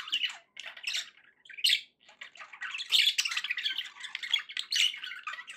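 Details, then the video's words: Happy pet budgies give busy, scratchy chatter of short squawks and chirps in uneven bursts, with a sharp high note near the middle and a longer rolling warble toward the end. "happy budgie sounds"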